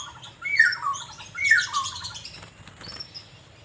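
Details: Asian fairy-bluebird singing while being sunbathed in Banjarmasin, Indonesia: two loud, liquid whistled phrases sliding downward from high to mid pitch, each followed by softer trailing notes, with faint chatter from other birds in the background.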